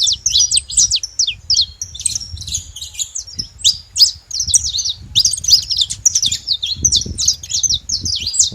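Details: Flock of wild saffron finches gathered at a feeding spot, producing a busy tangle of bright chirps and short rising and falling trills, unbroken from start to end, over soft low background noise.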